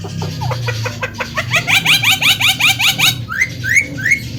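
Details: Javan myna in vigorous song: a rhythmic series of curved, rising whistled notes about three per second, ending in three louder sweeping upslurs. Faint hum underneath.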